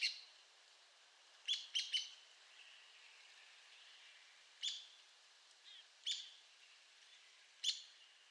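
An Arizona woodpecker gives sharp, high, squeaky notes, singly or in quick clusters of three, every couple of seconds over a faint hiss.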